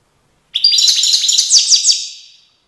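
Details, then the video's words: European goldfinch singing near Tiaret in 2019: one rapid, tinkling twitter of high, liquid notes with buzzy trills, lasting about two seconds and fading out at the end, against a silent background. "chant chardonneret tiaret 2019"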